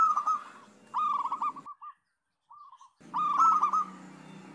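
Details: Local zebra doves singing together to coax other doves into song: trilled strings of cooing notes, fading to a few soft coos before a short silence, then another loud burst of rapid coos.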